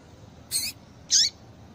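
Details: Female double-collared seedeater call, used to stir males into singing: two short high calls about half a second apart, the first a harsh buzzy burst, the second a bright note sliding downward, over a quiet background.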